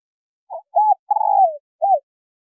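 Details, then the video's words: Spotted dove pair, male and female, used to stir up wild birds: a single phrase of soft coo, arched coo, long quavering falling coo, then a closing short coo, on a quiet background. "Tiếng chim cu gáy trống mái thổ kích bổi hay mới"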